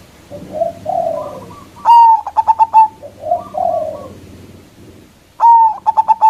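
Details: Zebra dove, a local bird with a big voice, used as a lure to draw rivals. Low warbling coos lead into a loud phrase of one drawn-out note and five quick stuttered coos. The pattern repeats twice over a low background hum.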